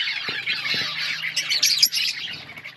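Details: Brief burst of budgie chatter from an outdoor colony, warbling scratchy chirps overlapping from several birds, peaking in sharp squeaks before easing off.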